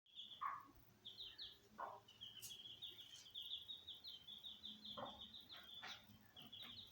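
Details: Mother hen calling her chicks to teach them to eat, with special sounds. Low, short clucks come at intervals under a nearly continuous stream of high, thin, repeated peeping from the chicks.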